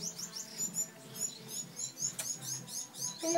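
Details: Bengalese finch, also known as society finch: quick high, thin chirps repeated in a steady pulsing rhythm, several notes each second, with a faint low hum and a little background noise.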